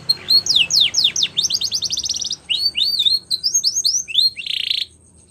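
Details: Belgian canary singing as a training model for young canaries, with sweeping whistles speeding into a rapid trill, then bouncing two-part notes and a short buzzy roll before falling quiet.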